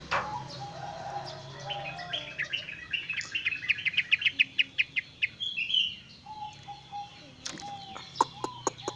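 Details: Javan myna giving coughing sounds: a quick run of sharp, dry clicking notes that builds and fades over a few seconds, then scattered low whistles and a few harsh snapping bursts near the end, with a steady low hum behind.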